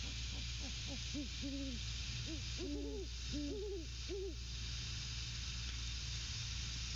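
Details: Male and female Great horned owls hooting to one another at their nest on 12/06/22, 21:50. A rapid, overlapping run of low hoots fills the first four and a half seconds, then quiet hum and hiss.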